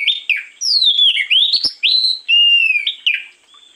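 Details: Morning song of an oriental magpie-robin used as a lure: a rich string of clear whistles, some sliding down and others swooping up, broken by short harsh chattering notes, steady and loud throughout.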